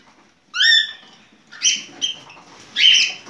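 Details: Cockatiel singing during mating: a clear harmonic whistle rising near 0.6 seconds, then two short chirpy notes and a louder buzzy whistled phrase near the end, with quiet gaps between.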